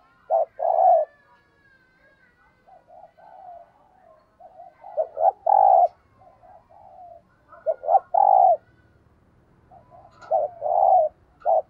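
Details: Spotted dove kept as a decoy, cooing in the thúc gù style meant to rouse wild birds: four bursts of deep, hollow coos, each short note leading into a longer one, with quieter twittering birds in the gaps.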